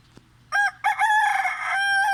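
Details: Chicken calling in the early morning: a loud, harmonic-rich crow opens with a short burst, pauses, then swells into a long sustained drawn-out note, with a faint steady low hum beneath.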